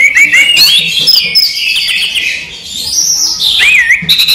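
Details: Daytime song of a caged orange-headed thrush: sweeping whistled notes that curve up and down, joined into a long, continuous warbling stream with a few sharp clicks.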